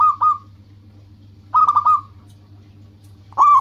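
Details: Local zebra dove singing as a lure to draw rivals: three bursts of stuttering, rapidly pulsed coos near one pitch, separated by about a second of quiet, over a steady low hum.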